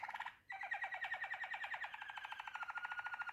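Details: Waterslager canary singing indoors: a rapid, even roll of repeated low notes, about three per second, continuing steadily after a brief pause at the start, with a faint room hum underneath.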